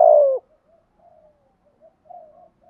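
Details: Decoy spotted dove coos to stimulate wild doves: one loud, falling hoot at the start, followed by several faint low trailing notes.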